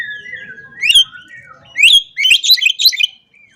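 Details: Oriental magpie-robin in 'ngobra' style song meant to call opponents: a long steady whistle slides down, then sharp upward sweeps lead into a dense run of bright, varied twittering notes before falling quiet.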